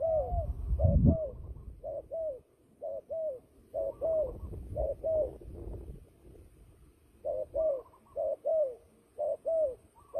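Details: Turtle dove fighting call for trapping: evenly paired short coos, each falling slightly in pitch, repeated in bursts with a brief pause midway, and a thump or knock near the start.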